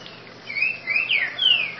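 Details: Trinca-ferro (green-winged saltator) giving a grego boca mole song phrase after a quiet start: rising and falling clear whistles, the last a long descending slide, with faint background hum.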